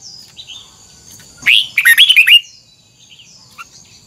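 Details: Red-whiskered bulbul sings one energetic phrase of tumbling whistled notes lasting under a second, with soft faint chirps before and after and a faint constant hiss.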